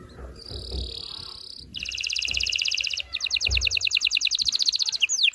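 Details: Canary singing to stimulate males and prepare females for mating: a sustained buzzy high note, then a rapid metallic trill that switches to a faster, pulsed rattle, ending in a quick down-slurred whistle; soft low thumps underneath.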